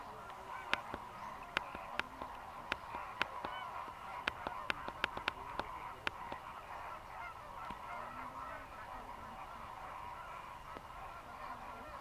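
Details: Greater flamingos chattering non-stop while fishing in Mannar Island lagoons, Sri Lanka, where over 6000 dry-season migrants gather: a constant bed of honks, punctuated by many sharp clicks and taps throughout.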